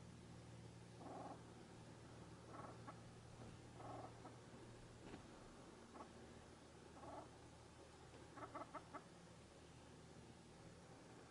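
Ruffed grouse giving soft, low clucking calls every second or two, ending in a quick burst of four or five. A low steady hum fills the first half.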